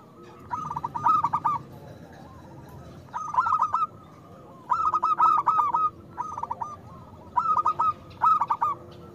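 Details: Zebra dove of a local type in vigorous, loud-voiced song, a lure for doves slow to sing: five or six rolling, trilled coo phrases, each about a second, with gaps of one to two seconds and steady background hiss.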